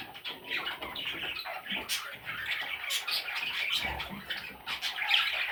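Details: Parrot chicks heard somewhat softer, a continuous raspy chirring and squeaking with a few sharper squeaks standing out.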